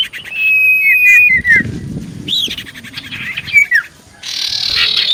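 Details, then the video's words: Common iora singing to draw replies from others: a sustained whistled note ending in a down-slur, a buzzy churring passage with falling whistles, then a noisy rasping burst. "Burung Cipoh Gacor Pancingan Paling Ampuh Bikin Burung Cipoh 5 Detik Langsung Nyaut"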